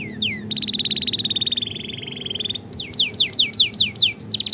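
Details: Gacor canary song for tutoring and coaxing lazy canaries to sing: a falling slur, then a long steady rapid trill, followed by a fast series of descending whistled sweeps and a renewed trill, over faint low rumble.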